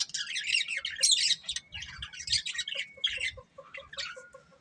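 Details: Budgie breeding pair chattering in loud, scratchy, rapid warbles, which fade into a string of short, soft, evenly repeated low chirps.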